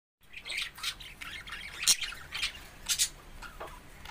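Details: Pet budgerigars (Melopsittacus undulatus) sing in a quick, irregular warble of high chirps and scratchy squawks.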